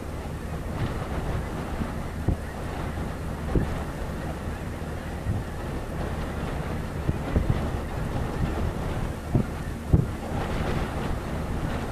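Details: Steady low rumble of wind buffeting the microphone on open prairie during spring migration, with scattered faint knocks and no clear animal voice.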